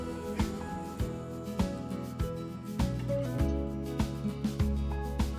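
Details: Rhythmic instrumental music with a steady beat and sustained notes, without any animal sound.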